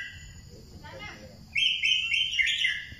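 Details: Thailand-type white-rumped shama song: after a quiet stretch, a loud run of fluttering, high whistled notes that rise and fall in quick succession over about a second and a half.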